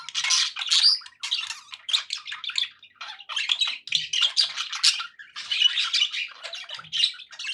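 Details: Pet budgies in cheerful chatter, a long series of harsh warbles, clicks and squeaky chirps arriving in uneven bursts with short pauses.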